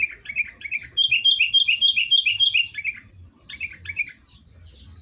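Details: Sooty-headed bulbul (kutilang) singing actively in Garuda style: a rapid run of bright, slurred chirps, each rising then falling, repeated about four times a second for two seconds, then looser scattered chirps and a thin high whistle.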